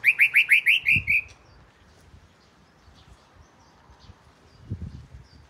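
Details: Oriental magpie-robin, southern form, the first at the house, gives a fast run of about eight rising chirps over one second, then quiet background with soft thumps.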